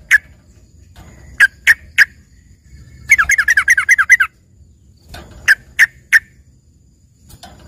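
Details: Filler song of the trucukan (yellow-vented bulbul) for a green leafbird: scattered single sharp chips, then a second-long warbling rattle of quick wavering notes, followed by more spaced chips over soft low background noise.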